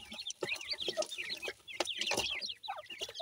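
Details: Francolin chicks keep up a steady chorus of bright, high, falling peeps, with occasional soft thumps beneath.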